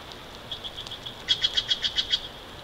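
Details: From a bald eagle nest cam in Big Bear Valley, 29 March 2023, 09:40: soft high notes build into a loud, fast chittering series of about seven bright, squeaky pulses.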